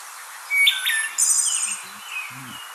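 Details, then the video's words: A wood thrush sings a short, fluty phrase of clear whistled notes followed by a high, shimmering trill, with faint low murmurs beneath. "This is a wood thrush singing."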